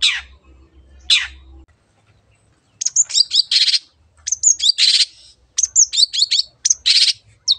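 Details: Long-tailed shrike singing actively, recorded as a lure to stimulate other birds: two harsh downslurred rasps, a pause, then rapid bursts of varied high chattering notes, quick whistles and scratchy buzzes in short phrases.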